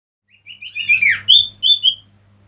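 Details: Male common iora song used as a lure: a few thin whistled notes climb into a quick descending slur, then two clear level whistles, over a low steady hum.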